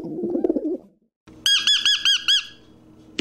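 A parrot gives five quick, harsh, ringing squawks in under a second, each note arching up and down. A spoken word comes just before.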